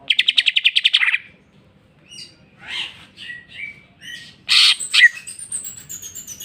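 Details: Greater green leafbird in full jamtrok song, unloading its isian repertoire: a fast burst of about ten sharp repeated chirps, then scattered rising whistles, harsh notes and high thin slurred whistles.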